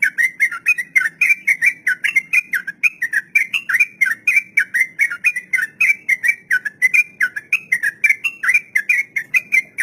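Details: Long 'ropel panjang' song of a sooty-headed bulbul, a master recording for teaching young untamed caged birds: an unbroken, fast run of clear whistled notes, about four each second, sustained for ten seconds with slight pitch wavering.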